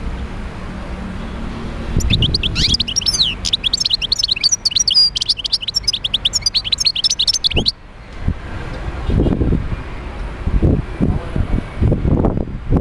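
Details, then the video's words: European goldfinch song used to stimulate other goldfinches to sing: a rapid, twittering burst of high tinkling notes and trills lasting about six seconds, over a low background rumble with a few low thumps afterwards. "تحفيز طيور الحسون على تغريد"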